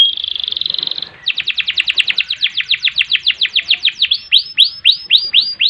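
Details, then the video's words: Canary gacor song with ngerek, ngerol and nembak: a brief fine trill, then a long series of crisp downward-sweeping notes, switching to fuller swooping notes near the end. "Kenari Gacor Panjang Ngerek Ngerol Nembak"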